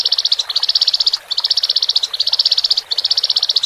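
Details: A caged Horsfield's bush lark pair, male and female, singing to help a newly separated bird adapt: continuous fast, high, buzzy trills broken into roughly one-second phrases with short gaps.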